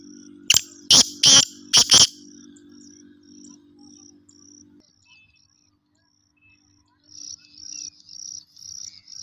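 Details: A kept black francolin (black partridge) calls in the winter season, giving four loud, harsh, grating notes in quick succession, followed by high, steady insect chirping and a low hum.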